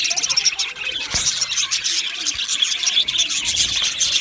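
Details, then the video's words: Loud, close chatter from male budgerigars in an aviary colony, 8 December 2025: rapid high chirps and trills crowd together in an unbroken, lively twitter. "Beautiful Male Budgies Sounds | Budgies chirping sounds"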